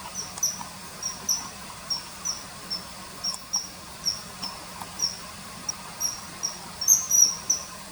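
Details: Common kingfisher near a river giving steady series of short, shrill whistled notes roughly three per second, ending with a louder, longer pair.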